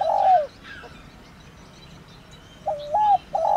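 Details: Spotted dove (cu gáy) giving its thổ đồng calling coo for luring. The tail of a long husky coo, a quiet pause with faint birdsong, then a new phrase with a short rising coo and a drawn-out note.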